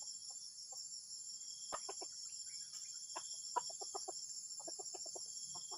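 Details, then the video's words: Junglefowl's strange call: sparse soft clucks at first, then a busy burst of rapid clucking notes after a sharp click, continuing in quick runs over a steady insect whine. "AYAM HUTAN SUARA ANEH PENGGANGGU"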